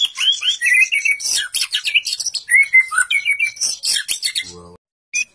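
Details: Energetic song of a white-rumped shama, a kept songbird known for copying other species, packed with rapid, varied whistles, buzzy notes and sweeping slurs, ending with a short low buzz and a final note.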